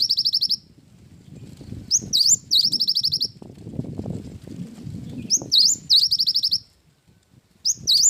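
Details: Cinereous tit in energetic wingko-style song. Repeated phrases of high rising whistles run into fast shrill trills, with a pause in between filled by low rumbling background noise.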